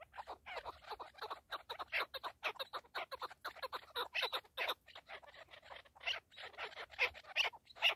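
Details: Loud, dense chorus of partridge calls: rapid, rasping clucks running together in a nearly unbroken chatter for several seconds, a brief gap, then further strong bursts.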